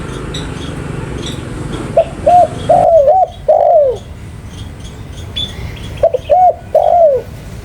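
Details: Spotted dove calling twice after a quiet start: a series of short coos ending in a drawn-out falling coo, with light high chirping from other birds.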